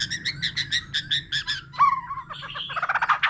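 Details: Mature wild-caught white-rumped shama singing solo with many varied voices alongside a laughingthrush: a run of buzzy, repeated notes about five per second, then slurred whistles and a fast chattering burst.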